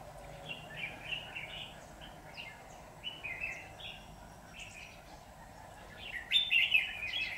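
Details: Red-whiskered bulbul singing during a trapping session on 23 September 2019, with a decoy bird used to provoke wild rivals. Short warbled, chirpy phrases repeat in quick bursts, louder near the end, over steady background environmental noise.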